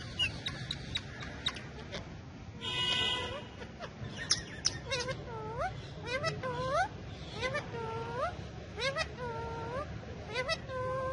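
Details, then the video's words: Four pet parrots, talking and dancing while perched on a bike. A long series of nasal, upward-curving harmonic calls, one about every second, follows a brief harsh noisy burst near the start. Low background hum runs throughout. "Parrots Dancing And Talking On The Bike"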